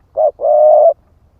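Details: A single cooing phrase from a split-breast spotted dove used to lure other birds: one short note, a brief gap, then a longer smooth, steady coo, with faint low rumble beneath.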